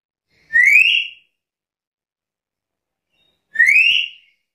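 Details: Black-capped lory uttering two loud, upslurred shrill calls with strong overtones, spaced about three seconds apart, against a silent background.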